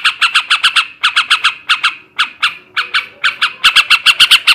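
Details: Ngebrem ngekek song of a male sooty-headed bulbul, used to heighten breeding urge: grouped bursts of rasping notes with short gaps, ending in a faster, louder run.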